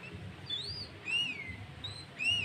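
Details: Lively sooty-headed bulbul song, used as a lure call with green leafbird filler phrases: clear arched whistles, rising then falling, given about once a second with fainter high notes between them, against low background noise.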